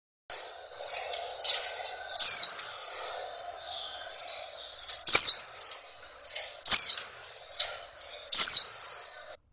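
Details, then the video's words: Female oriental white-eye calling to stimulate males into breeding condition: high thin descending chirps and sharp ticks repeated in quick series, with a soft low hum beneath. "suara betina pleci, cas birahi, bikin jantan ngotot gacorr...."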